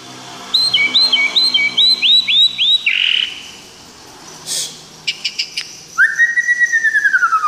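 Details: White-rumped shama from Tangse, Aceh: a rapid series of about eight bright hooked whistled notes, a pause with a few clicks, then a long clean descending whistle with quick chattering notes beneath it.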